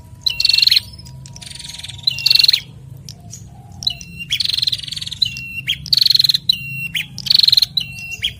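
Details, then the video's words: Male and female bar-winged prinia pair calling back and forth in lively duet: bright buzzy trills alternating with a short lower whistled note, repeated in bursts about every one and a half seconds, with a faint low hum underneath. "Prenjak Jantan dan Betina Sahut-sahutan Gacor"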